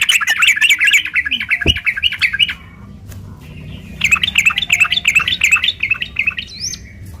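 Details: Sooty-headed bulbul in a fighting mood, song used as a lure to provoke other birds into answering; rapid chattering bursts of chirpy notes for over two seconds, a pause, then another long chattering run ending in a rising whistle.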